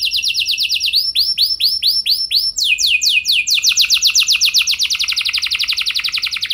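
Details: Canary singing as a training lure for other canaries: quick trills of descending whistled notes, then slower swooping arched notes, then a long rapid rolling trill, repeated about four times a second.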